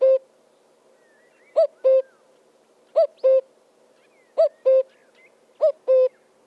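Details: Common cuckoo sounding a steady series of two-note cuckoo calls, five pairs after a short pause, the first note higher and clipped, the second lower and held; faint birdsong in the background.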